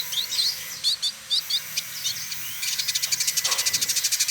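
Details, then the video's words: Village indigobird male (trotol) from Bandung, Indonesia: several twisting high whistled notes, then a fast, even, rattling series of sharp ticks running to the end. "Burung Masteran Village Indigo Trotol Gacor"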